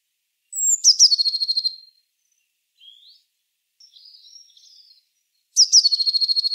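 Eurasian blue tit singing: a couple of thin, very high notes dropping into a fast, even trill, the phrase repeated about five seconds later, with faint twittering between.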